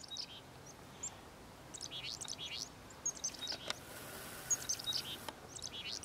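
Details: A Black-capped Chickadee at Vernon Marsh gives short, high chirps and thin sliding notes in loose bursts about once a second, over a soft steady outdoor hiss.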